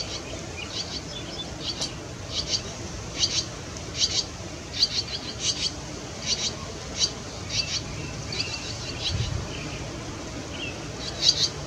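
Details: Barn swallow nestlings on Star Island, New Hampshire, 28 June 2024, while their parents are away, give soft, high, scratchy chirps, repeated more than once a second in loose bursts over a faint low background hiss.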